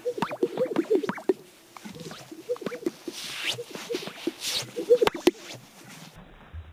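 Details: Male greater sage-grouse strut-displaying on a spring lek near Hudson, Wyoming, USA, courting females, give bubbling, gulping pops and low burbles as air moves in and out of their inflated vocal sacs, with soft swishing rustles between.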